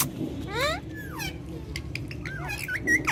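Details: Indian ringneck parakeet talking with its keeper in Urdu/Hindi in a courtyard. Several rasping, speech-like vocal sweeps, some rising and some falling, with brief clicks and a steady low background hum.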